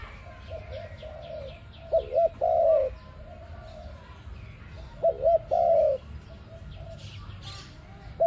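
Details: ARIMIX dove calling, a recording meant as a trapping lure: two full coo phrases, each two short hooked notes followed by a longer level, slightly falling coo, about three seconds apart, over a steady low hum.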